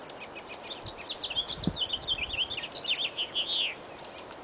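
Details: Spring song of blackbirds in a breeze, a flowing string of warbled, slurred notes rising and falling in quick succession, with a brief gust of wind partway through.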